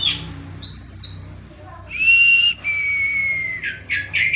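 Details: Tembakan singing of a kacer (oriental magpie-robin) for bird therapy: a high whistle, a pause, then two long, loud, buzz-edged whistles ending in quick sharp notes.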